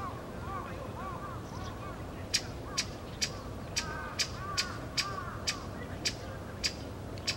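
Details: A pale thrush in the plum grove at Osaka Castle on 14 February 2015 gives sharp, dry ticking calls, two or three a second in a steady series, over a low background hum and faint notes of other birds.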